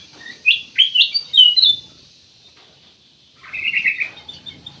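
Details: Ruby-throated bulbul, locally cucak emas, sings a string of four rising, chirpy notes, pauses for over a second, then adds a short rapid rattling trill.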